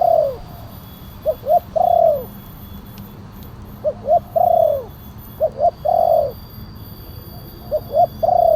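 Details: Spotted dove with a deep voice, played as a lure to draw wild doves down. Groups of low coos: two short clipped notes, then a longer drawn-out coo, repeated every one to two seconds over a faint steady electronic hum.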